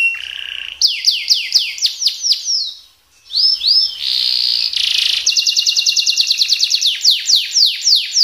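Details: Canary song in speed-roll style with shot notes: quick falling sweeps, a short pause, upswept notes, a buzzy tone, then a long rapid trill and further descending sweeps.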